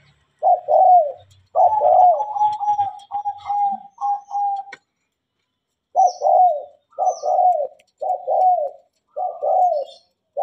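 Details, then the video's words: Tame, actively singing spotted dove heard on a holiday: low, mellow coos in phrases of several rolling notes, repeated roughly every second, with brief pauses and faint clicks in the background. "TEKUKUR GACOR DAN JINAK"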